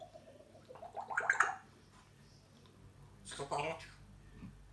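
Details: A talking pet African grey parrot chatters in two short bursts of mimicked speech with clicks and gurgling sounds, in a quiet room.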